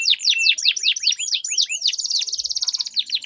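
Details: Canaries singing against each other in a long rolled song meant to prompt silent canaries: a run of looping downward-swept whistles, then a dense fast trill of identical notes.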